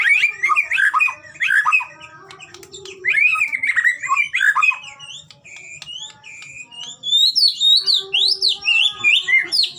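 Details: White-rumped shama song from a Medan-type training recording for prompting birds to sing: varied rapid whistles and twittering runs, a quieter stretch midway, then high rising notes repeated quickly toward the end.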